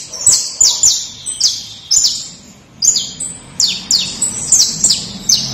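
A canary sings bright, very high chirps that slide sharply downward, given in quick bursts of two or three notes with short pauses between.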